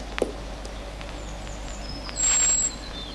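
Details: A European robin gives its warning call when it knows enemies are around and takes cover. It is a single thin, very high, level whistle of about half a second, after faint clicks over quiet hiss.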